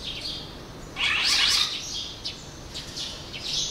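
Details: A flock of red-rumped swallows in Mashiko, Tochigi, Japan, on 5 July 2020 gives a burst of harsh, twittering chirps, then scattered short high calls from several birds over faint background hiss.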